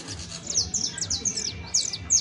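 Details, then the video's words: Canario criollo, or saffron finch, in a fast stretch of song: tumbling high downslurred notes packed closely together, ending with a brief bright whistle. "CANTO DE CANARIO CRIOLLO EJEMPLAR [SICALIS FLAVEOLA]"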